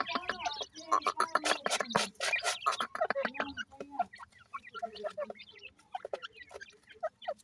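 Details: Freshly hatched Dakhni teetar, the grey francolin, chicks cheeping densely in bursts of short piping notes that later thin out to scattered peeps, accompanied by clatter and rustling.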